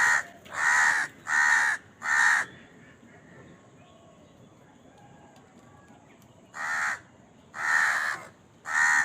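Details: Crow at feeding time calling amid scenes of crows squabbling over food: a quick run of four rasping caws, a pause of about four seconds, then three more harsh caws in a loose rhythm.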